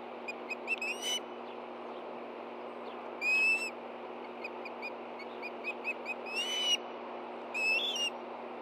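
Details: Ospreys at a nest in Hellgate Canyon, Montana, on 24 August 2013 at 10:46 a.m., stirring as a fish is brought in for two hungry birds; four loud slurred whistles, with soft short chips between them, over steady background hiss.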